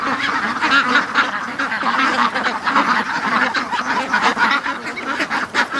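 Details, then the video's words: Domestic ducks crowded in a pen late in the morning, quacking continuously as they wait to be let out; a busy chorus of coarse, overlapping quacks in pulsing bursts, dipping briefly near the end. "See, they all were at the other end of the pen because it's been like an hour and 40 minutes of non-stop quacking."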